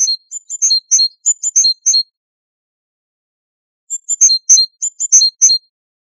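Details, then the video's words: Great tit in Waydani-style song, recorded as a tutor tape for teaching captive great tits and goldfinches to sing: two bursts of rapid, bright, alternating high notes in repeated short phrases, separated by a two-second silence. "تغريد طائر الحداد ( القرقف"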